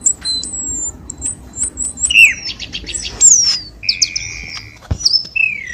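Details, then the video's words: Cucak keling lure call for encouraging lazy caged birds to sing: high whistles and chirps, a fast buzzy rattle, a long steady mid-pitched whistle, and falling slurred notes, with one sharp click. "SUARA PIKATAN BURUNG CUCAK KELING"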